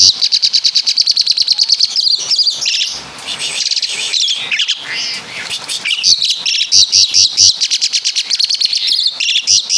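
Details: Asian pied starling from Java in full song imitating caladi and kapas tembak, with a steady stream of rapid high pulsed notes, a scratchy warbled middle section, then more fast chattering trills.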